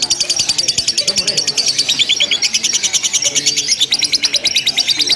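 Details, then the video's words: Lovebird chattering nonstop in ngekek style at a simulated contest: very fast, high, buzzy rattle with slight shifts in pitch, continuous throughout, faint low rumbles behind. "LOMBA LOVE BIRD TERBARU 2025 NGEKEK TANPA JEDA DURASI PANJANG"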